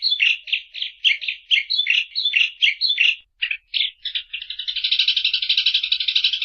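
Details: Eurasian tree sparrow calling with a regular series of loud chirps, roughly three per second, then breaking into a quick, harsh, continuous chatter.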